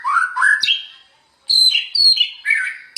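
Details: White-rumped shama (murai batu) in full, vigorous song, used as a master recording for training other shamas: rich whistled phrases sliding up and down, a short silence near one second, then bright, varied, rapid high notes.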